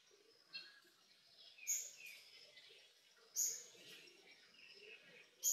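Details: Azure-winged magpies in Korea, rearing their nestlings, give thin, squeaky high notes in short bursts about every two seconds, over softer raspy chatter and faint background noise.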